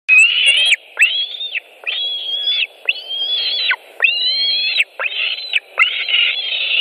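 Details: White-tailed eagle eaglet at a nest in Latvia on 25 July 2018, while an adult brings carrion: seven high, whistled calls, each under a second, rising and then falling off, repeated about once a second.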